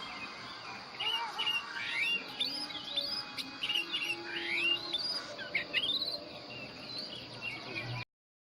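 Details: Oriental magpie-robin, a white-coloured wild forest bird, singing a varied run of sweet whistled phrases with upward and downward slurs and quick trills, over constant forest hiss with faint other chirps, ending abruptly in silence.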